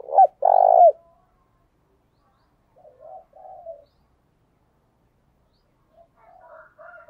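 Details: Spotted dove decoy call for luring wild doves, in the fast thúc bổi style: two loud low coos open, then softer wavering coo phrases follow after a pause, with near-silent gaps between them.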